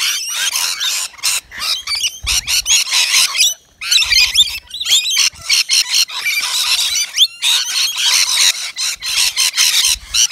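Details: Native Australian rainbow lorikeets at a balcony feeder serving wet nectar mix; bouts of harsh, buzzy screeching and squeals alternate with short pauses throughout.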